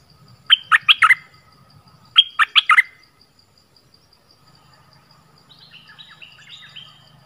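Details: Orange-headed thrush used as a decoy to lure wild birds, giving two bursts of four or five loud, sharply descending whistles about two seconds apart, followed by a softer, more distant run of similar notes over low hum.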